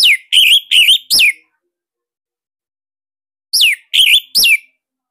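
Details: Caged Bali orange-headed thrush singing loud, tight song used as a master recording to prompt silent or young birds to sing: bursts of four, then three sharp whistled notes sliding down and wavering, separated by a pause, no background sound.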